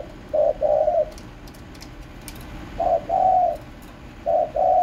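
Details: Cooing spotted dove gives three soft, low phrases. Each is a brief opening coo, then a drawn-out note, repeated roughly every one and a half seconds, with a few faint clicks in the background.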